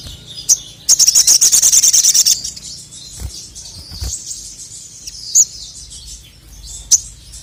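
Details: Male crested jay, known locally as sogon, in a training recording said to agitate rival birds: scattered high thin chirps, then a fast buzzy rattling burst of about one and a half seconds, followed by sparse sharp notes.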